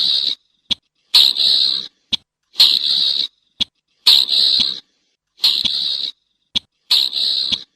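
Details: Steady pattern from a slaty-breasted rail: a harsh, buzzy rasp of about 0.7 seconds, then a single sharp click, repeated five times in fairly even rhythm; no other sounds.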